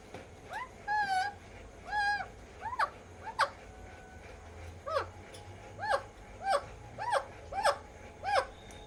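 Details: Alexandrine parakeet tasting ice cream for the first time, giving a series of loud, harsh, arched squawks repeated roughly every half second to one second, each rising then falling, with a faint background hum.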